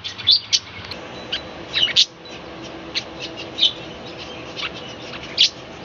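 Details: Budgerigars in a small balcony colony chirping in the morning: scattered high, clipped chirps and soft twitters at irregular intervals, several per second at times, over low background hiss.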